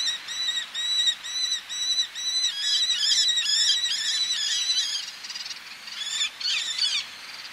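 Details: Male Eleonora's falcon calling close up with females calling from ledges, sea in the background: a run of even, ringing kek notes giving way to a denser, overlapping chatter from several birds, then scattered calls.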